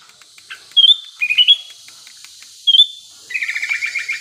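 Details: Sooty-headed bulbul in breeding condition, used to prompt other birds to sing: short bright whistled phrases in quick bursts, then a fast run of chattering notes, against a faint high hiss.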